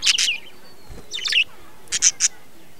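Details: Budgerigars kept in a breeding colony, recorded in 2020, giving short scratchy chirps and sharp squeaky notes in three quick bursts.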